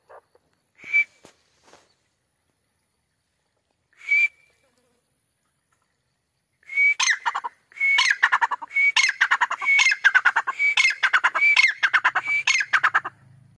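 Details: A grey (white) francolin, or teetar, gives a few scattered notes, then a loud run of sharp, whistled, ringing calls repeated about once a second.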